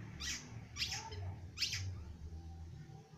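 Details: Young long-tailed shrike just beginning to sing: three short, harsh, scratchy notes spaced about half a second apart over a low steady hum.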